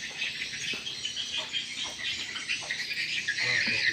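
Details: Swiftlet lure recording for swiftlet houses: an unbroken mass of high, buzzy chirps repeated about three times per second, with faint scattered clicks.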